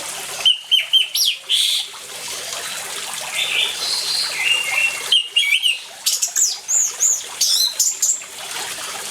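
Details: Orange-headed thrush singing over trickling water, a lure for silent birds: clear whistled phrases, a pause, then a fast sequence of sharp, looping high notes repeated several times.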